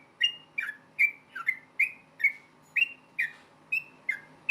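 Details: Rapid combative song of a yellow-vented bulbul, the ropel tarung style used to make other bulbuls answer; a run of eleven or so bubbly whistled phrases, bright and slurred, coming steadily every few tenths of a second above faint hum.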